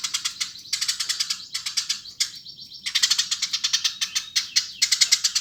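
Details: Eurasian tree sparrow giving rapid, rasping chirps in short bursts of about half a second to a second, separated by brief gaps and one thin drawn-out note, the chirps repeating steadily throughout.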